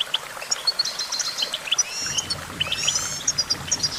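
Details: Goldfinch singing a fast jumble of high, tinkling notes and short upward and downward slurs, over a constant hiss of background noise.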